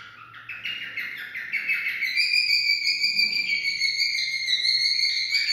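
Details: Cockatiel singing to stimulate mating: a quick stepped run of chirpy notes climbing upward, then a long steady warbling whistle held for several seconds.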